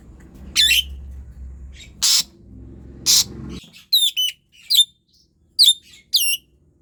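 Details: Asian pied starling in full, persistent song, used as a lure for lazy birds that rarely sing: harsh noisy squawk bursts over a low hum, then a series of short bright, warbled whistle notes with quiet gaps.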